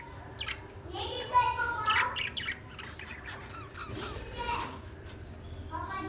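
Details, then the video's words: Lovebirds chirping and singing: harsh, buzzy squawks and short chattering notes with rising and falling pitch, several overlapping in bursts, over a steady low background hum. "Lovebirds Sound | Lovebirds singing | chirping Sound"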